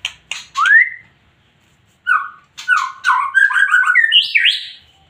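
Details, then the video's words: White-rumped shama (murai batu) in full, emotional song: a few dry clicks and a rising whistle, a brief pause, then a rapid tumbling series of fluty notes that climbs steadily higher. "MURAI BATU GACOR PLONG FULL EMOSI TINGGI"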